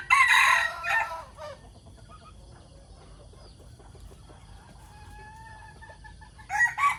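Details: Morning crowing from decoy chickens: a loud, harsh, multi-part crow opens, fades into quiet with a faint distant crow, then another loud crow begins at the end.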